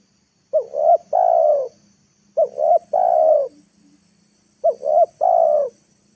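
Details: Spotted dove used as a lure to draw wild birds down to the ground, giving a three-part coo: two short, quick notes followed by a longer, louder, falling coo, repeated about every two seconds.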